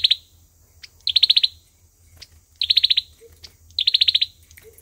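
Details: Olive-backed sunbird used as a lure for trapping, giving its fighting song: four fast trills of sharp high notes with thin isolated chips and a soft low note in the gaps.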